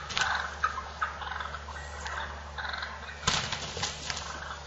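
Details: Toms of wild turkey fighting, with scratchy, chattering calls in uneven bursts and a loud sharp crash late on, over a steady low droning hum.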